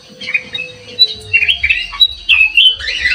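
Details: Sooty-headed bulbul, played as lure sound: a steady stream of sharp, bubbly whistled notes and chatters, about three per second, over a faint low rumble and a thin steady tone.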